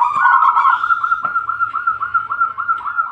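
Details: Bangkok-type zebra dove in full voice, delivering a continuous rolling trill of quick, even cooing notes that barely pauses from start to finish.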